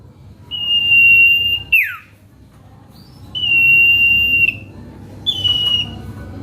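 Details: Common iora song used as a lure to provoke rival birds: long, steady, pure whistles held about a second, each ending in a quick downward slur, repeated three times with short pauses in a quiet room.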